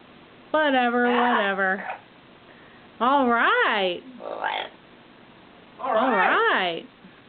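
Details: Pet Yellow-naped amazon, five years old and believed female, indoors making three loud drawn-out vocal bursts with rising and falling wavering tones, somewhat croaky and voice-like, separated by pauses of about a second.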